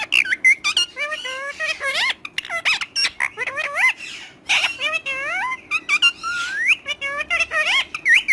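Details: Parrot talking and squawking in quick runs of bent, rising and falling syllables, imitating speech rhythm with brief harsh noisy bursts between phrases.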